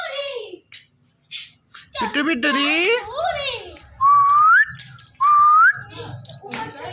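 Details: Indian ringneck parakeet indoors in a small room, a talking parrot saying "Mitthu": short speech-like harmonic syllables, then two clear rising whistles, each about half a second long.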